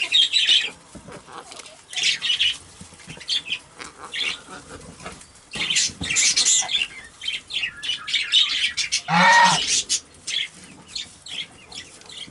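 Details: Pet Quaker parrot, a talking bird that says "I love you", giving scratchy, squawky chatter in bursts across twelve seconds, with one louder, harmonic, voice-like phrase near the end and short quiet gaps between utterances.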